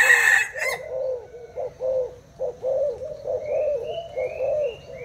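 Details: Thai spotted dove, caged, cooing against a decoy bird; a sharp noise burst opens, then rhythmic rounded coos follow one another closely while thin high whistles of another bird sound above.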